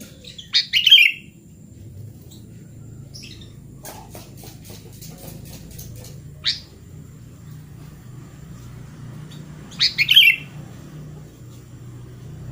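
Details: Sooty-headed bulbul song for coaxing a silent bulbul back into song: a quick liquid chattering burst at the start, faint notes, a rapid train of clicks, then another bubbly phrase about nine seconds later.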